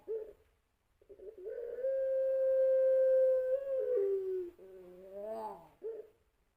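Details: Champion-line puter pelung, a long-voiced kept Barbary dove, cooing as a lure: a brief note, then a long steady held tone that gradually slides lower, ending in a wavering rising and falling coo.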